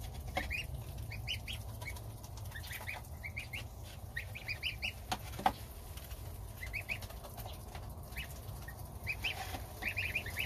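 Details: Goslings of domestic geese peep steadily at breakfast with their mother, the father goose standing guard outside; scattered high, short, rising notes come in loose groups, with faint wingbeat-like thumps and a low hum beneath.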